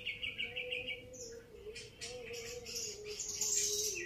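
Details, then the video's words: A Grey-cheeked bulbul opens with a quick run of repeated even notes, then shifts to higher, harsher chirps, with a steady low tone running underneath throughout. "SERUNYA MAIN BARENG CUCAK JENGGOT"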